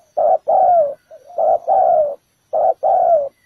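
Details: Spotted dove calling as a decoy at a ground trap to lure other birds, repeating paired low cooing notes, a short coo then a longer falling one, three times.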